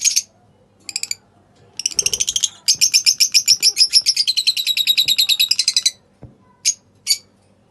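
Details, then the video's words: Pale fallow lovebirds, kept birds, chirping and singing: sharp high chirps at first, then a long run of rapid, evenly pulsed buzzy notes lasting about three seconds, followed by a few isolated chirps. "Singing and Chirping Sounds of lovebirds"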